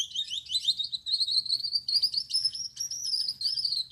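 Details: Male Gouldian finch with yellow back, red head and white chest singing at night: a thin, buzzy, high warble of rapid scratchy notes, gradually rising and holding a strained whistle-like tone, with faint low background hum.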